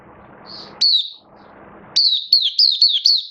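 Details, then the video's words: Oriental white-eye (mata puteh) kept in a cage for the bird hobby, recorded 19 September 2022: one thin whistle, then a fast string of bright down-slurred notes over a soft background rumble. "Mata Puteh V2 Raja Buka Sing Build Up Form"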